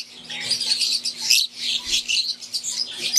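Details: Several caged Fischer's lovebirds, wild-type green and Euwing, keep up a continuous high, squeaky chatter of overlapping chirps, with a faint constant low hum beneath.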